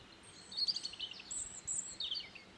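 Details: European robin at Ribniki v dolini Drage on 21 March 2023, giving a few thin, very high notes: quick falling slurs and a couple of drawn-out whistles, spaced over two seconds against a soft background hiss.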